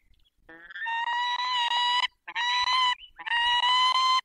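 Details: Peregrine falcons at a nest with four eggs, Barycz Valley, 20 March 2022, 5:45: three loud, harsh wailing calls, each a drawn-out rasping note lasting about a second, separated by brief pauses.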